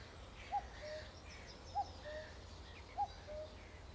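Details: Cuckoo calling through trees: three two-note cu-ckoo phrases, a higher note dropping to a lower one, about every 1.2 seconds, with faint other birdsong and low background rumble.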